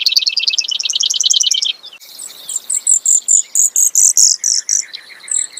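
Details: Rapid high trill from a Brewer's sparrow for nearly two seconds, followed by a slower run of piercing, very high buzzy notes evenly spaced.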